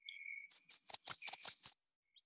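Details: Louisiana Waterthrush song: a faint thin whistle, then a quick run of about seven bright, high, slurred notes that ease lower in pitch toward the end, the falling finish that separates it from the rising Yellow-throated Warbler song.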